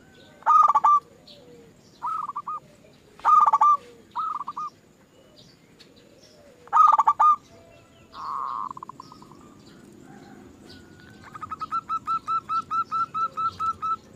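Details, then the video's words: Lure recording of zebra dove song meant to set other doves singing: several brief pulsed cooing phrases with pauses between, then a steady run of about a dozen evenly spaced, clipped notes near the end. "Pancingan Burung Perkutut Bikin Perkututmu gak mau diem"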